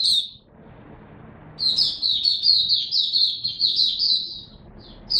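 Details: White-eye, a caged song bird in a hobby setting, singing a continuous rapid high warble of twittering notes about four seconds long, preceded by a brief short phrase, with a quiet background hum.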